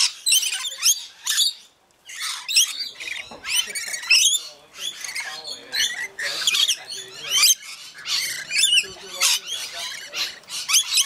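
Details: Several rainbow lorikeets feeding, keeping up a dense stream of shrill screeches and squeaky chatter, with a brief pause near the start, then steady overlapping calls.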